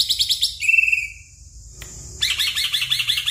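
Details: Black-winged myna song used to prompt a stressed caged bird that will not sing: bursts of rapid, harsh, high chattering notes, a short pure whistle, a brief pause, then dense scratchy chatter again.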